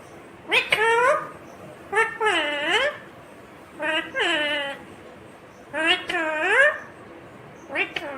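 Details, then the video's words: Green Indian ringneck parakeet talking: five harmonic, speech-like phrases with sweeping, wavering pitch, each about half a second to a second long, separated by short pauses, in a quiet indoor setting. "Natural Sound of Talking Ringneck green parrot"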